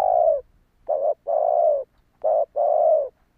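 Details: Spotted dove call used to lure wild doves: a long low coo, then a short double note followed by a drawn-out coo, repeated twice, clean and close with no other sounds.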